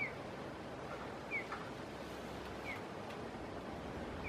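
A White-tailed Kite gives short, thin, downslurred whistles, one about every second and a half, over a steady hiss of wind or distant traffic.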